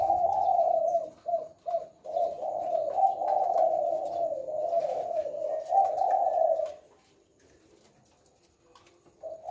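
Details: Spotted dove of the 'Leopard' type from Indonesia, singing actively ('gacor') in the kuk-6 style: a low, rolling coo sustained for about seven seconds, then a pause and a fresh coo at the end; faint clicks in the background.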